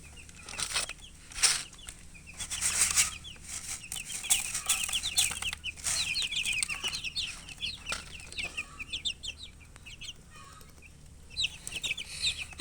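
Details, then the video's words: Several chickens peeping, described as thirsty for drinking water: a dense chorus of short, high, rising-falling cheeps overlapping continuously, with bursts of flapping and knocking noises around the first few seconds and a quieter spell near ten seconds. "Murgi chicks Chirping sounds with thirst for drink water"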